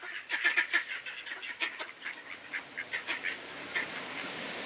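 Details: Ducks welcoming someone at the door in Sainte-Adèle, Quebec, on a clear September 2024 late morning; a run of loud, clipped quacks at first, then steadier, softer quacking over a low background hiss.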